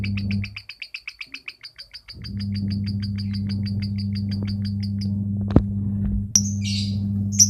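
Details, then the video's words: Caged lovebird from Kepanjen, Malang, East Java, singing in the fast konslet style: a run of about twenty short, high, chirping notes, roughly four per second, over a steady electrical hum, followed by a click and a sharp squeak. "Love bird bahadur KONSLET"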